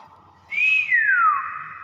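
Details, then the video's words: Single ringing whistle from a common hill myna, rising gently then gliding down in a long smooth slur, with faint speech underneath. "BURUNG BEO GACOR SUARA ASLI"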